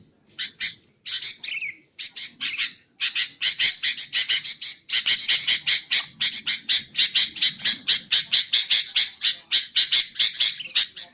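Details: Sooty-headed bulbul, recorded for training caged birds and luring others: scattered harsh squawky notes at first, then a long steady run of rapid, evenly spaced raspy chips.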